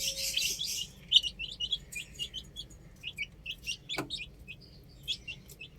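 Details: Chicks playing on a roof: scattered high peeps, some downslurred, come in bursts after a hissy start, with a sharp knock near the four-second mark and low background noise.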